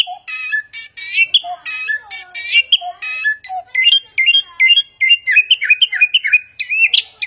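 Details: Chinese hwamei song copying many sounds: rich, buzzy harmonic notes and lower whistles at first, then a fast chatter of short chirps and rising whistles packed closely together.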